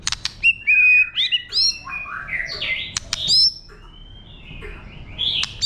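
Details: White-rumped shama singing wild-style to stimulate birds: loud sharp clicks, flat whistles and sliding notes in quick succession, then softer warbling phrases.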